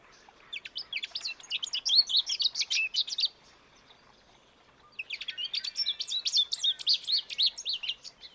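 American goldfinch singing two long, rambling bursts of rapid twitters, chirps and sweet warbled notes, high-pitched and varied, with a brief pause between them.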